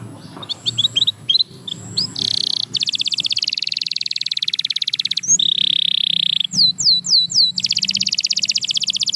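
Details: Canary song starting with soft chirps over background murmur, moving into long fast rolling trills, a steady tone, a few looping swoops, and another rapid roll.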